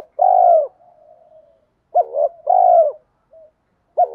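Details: Spotted dove giving a lure coo: a strong, flat coo, a faint drawn-out murmur, then a quick broken coo and another strong coo.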